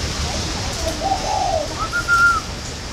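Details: Spotted dove from a northern Vietnamese breeding farm in Ba Vì, Hanoi, kept as a good-calling bird: a faint, low, husky coo phrase is followed by a brighter, higher drawn-out note, over steady background hiss.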